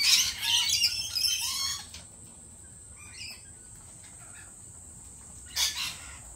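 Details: Lorikeets at a cafe, harsh screechy chattering bursts in the first two seconds, then a quiet stretch and a final short squawk near the end.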